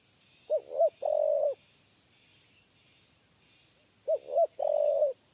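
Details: Spotted dove singing the three-note 'kuk 3' coo during trapping with a trap cage: two phrases of two short hoots followed by a sustained buzzy note, spaced about three and a half seconds, with pulsing high insect noise behind.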